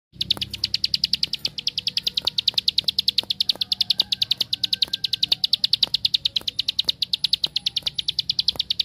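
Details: Bar-winged prinia (ciblek sawah) in the rapid 'tembakan' song style, used as a lure to make other prinias sing: a fast, steady stream of sharp high chips, roughly two or three per second, with faint clicks beneath.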